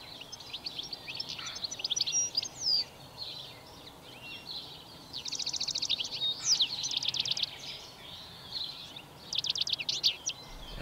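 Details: A European Goldfinch sings a bright, high twittering song with rapid buzzy trills in strophes of varying length, over a faint background hiss. Its strophes always include its short metallic call.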